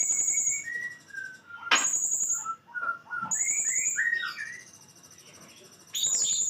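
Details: Blue-crowned hanging parrot in full 'nembak' song. Shrill high trills alternate with a series of short, lower whistled slurs, some rising and some falling, followed by a quiet pause and then another burst of high trilling.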